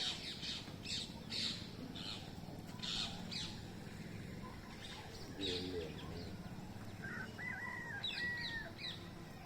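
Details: Green parrots in a mango tree, filmed on a mobile phone: harsh, raspy squawks repeated in short bursts about every second, with a few clearer whistled notes near the end and steady low background hum.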